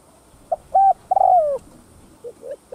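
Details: Spotted dove cooing in the thúc gù style, a recording used to rouse other doves to call: a short note, a loud flat coo, then a long coo sliding downward, with softer low coos at the end.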